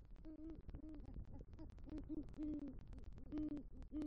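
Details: Male great horned owl calling for the female at a Southwest Florida nest after bringing rodent prey, November 2023 at night; deep, even hoots repeat about twice a second in paired and single notes, over light ticking noise.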